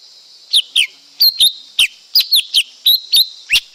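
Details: Lesser green leafbird delivers a lively, steady series of sharp whistled notes, mostly in pairs, some downslurred, some upswept, roughly a dozen in under four seconds, over a persistent high-pitched drone.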